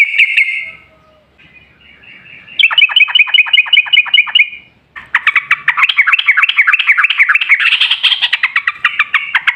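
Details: Yellow-vented bulbul song played as a lure to set other bulbuls singing: a long rattling series of fast notes, then a loud continuous stream of bubbling, warbled chirps.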